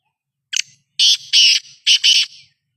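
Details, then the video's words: Kala teetar, the black francolin, calling in Sukkur, Pakistan: a clipped opening note followed by two drawn-out scratchy notes, then two more harsh grating notes close together, against a quiet, clean background. "Black francolin & kala teetar sound"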